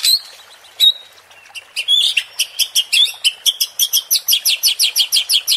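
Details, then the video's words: White-rumped shama (murai batu) song used as provocation to stir caged competition birds: a few scattered whistled notes, then a rapid run of bright, evenly repeated high chirps, about three to four per second. "MURAI BATU JADI TERPANCING EMOSI DENGAN SUARA PANCINGAN INI"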